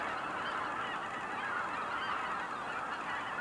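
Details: A short burst of massed cackling goose calls at Kejonuma: countless high, squeaky honks running together into a steady clamour.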